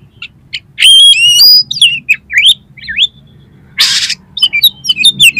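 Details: Singing kacer, or oriental magpie-robin, full of 'miuntah' fill for rousing competition birds: sharp stacked whistles, a loud rasping burst, looping slurred phrases, then a quick string of bright rising notes.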